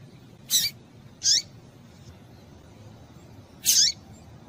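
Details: Rusty-collared seedeater female calling to stimulate males: three brief, bright high-pitched chirps, two ending in a quick downward slur, with a pause of over two seconds before the last, faint hum beneath.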